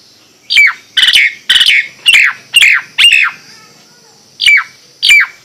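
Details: Song of the Nias hill myna: a string of eight strong, slurred whistles, some doubled and harsh, each dropping in pitch, a longer pause before the last two.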